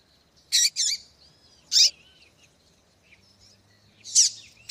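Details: Female double-collared seedeater call, used to stir males into singing: a few short, sharp, high chirps, with a quick pair near the start, a single note, then a final slurred chirp, and quiet between them.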